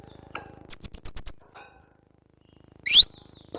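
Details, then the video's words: Cinereous tit in a training recording for cage birds: a rapid, evenly spaced run of six crisp, high notes, then a pause and a single harsh, rising chirp. "masteran burung glatik batu"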